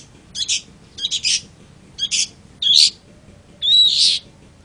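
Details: Long-tailed shrike giving short clusters of harsh rasping notes, then two longer grating calls with a thin whistled thread running through them.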